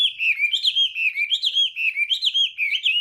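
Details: Chinese hwamei in a morning contest song meant to train the voice and provoke singing. Fluid whistled phrases rise and fall in quick, bouncy loops, with bright notes repeated more than once per second.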